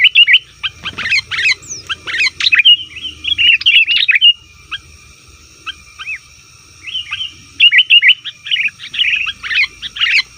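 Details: Sooty-headed bulbul noisily calling, played to attract wild bulbuls in the forest: dense, lively chattering with rapid, bubbling notes, a few thin upward whistles and a quieter stretch midway before the chatter resumes.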